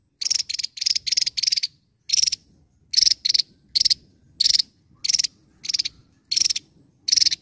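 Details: Javan tesia singing actively: loud, high, buzzy rattling bursts, each under half a second, repeated about every half to one second with short silent gaps.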